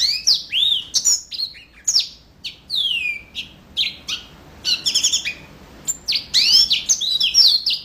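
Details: Lively yellow-fronted canary song of varied high chirps and downward-slurred whistles, some notes repeated in quick pairs, delivered in short bursts with brief gaps between them.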